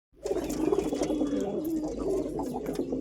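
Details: Pigeon cooing in a steady low, throaty stream of rolling notes that runs almost unbroken for three seconds, with faint clicks and scuffs in the background.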